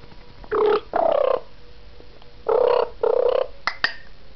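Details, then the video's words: Charlie, a 2-year-old pet African grey parrot, chats with his owner in the early morning: four voice-like phrases, each about half a second, in pairs, then two sharp clicks. "Our African Grey Parrot Charlie, having an early morning chat with me"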